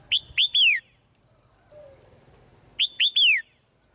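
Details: A swallow sings in the morning, repeating a crisp three-part phrase twice: two quick rising chips and a drawn-out descending whistle, with a soft low tone between phrases.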